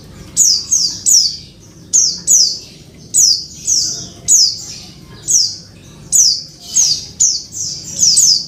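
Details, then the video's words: Female Oriental white-eye calling for a male, used to stimulate a silent bird: steady series of high, piercing, downward-slurred squeaks, mostly in pairs, spaced under a second apart, with a low background hum. "pleci betina panggil jantan"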